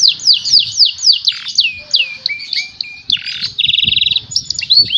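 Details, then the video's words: Canary song played to stimulate other birds to sing: rapid series of descending whistled sweeps, repeated about four times a second, then lower slurred notes and a fast buzzy trill, ending in rising whistles; faint low rumble beneath. "Canary song fishing to stimulate the sound of lazy birds"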